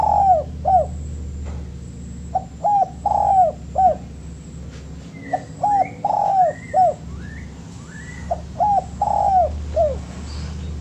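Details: Repeated spotted dove song for training birds: four evenly spaced phrases of soft, rounded coos, each with a drawn-out middle note. Thin rising whistles from other birds sound in the background over a low hum.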